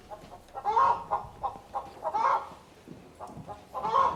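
A chicken clucks in short, nasal bursts, with a louder drawn-out cluck about every one and a half seconds.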